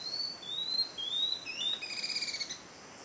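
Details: Tawny-throated leaftosser at Montezuma in the western Andes of Colombia, recorded on a May trip; thin high whistled notes, each sliding slightly upward, given in a quick series, over steady background hiss.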